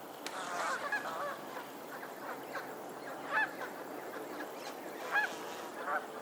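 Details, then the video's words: On a lake in Pennsylvania, geese honk in bursts, with a busy cluster early on and then several loud, separate nasal honks every second or two against faint background noise. "the sound of geese on a lake in Pennsylvania"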